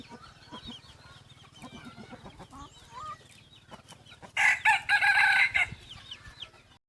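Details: A young yellow decoy cockerel, crossbred with wild junglefowl, gives one loud, rasping, stepped crow lasting over a second near the end, after soft chirping and twittering of small birds with a low steady hum underneath.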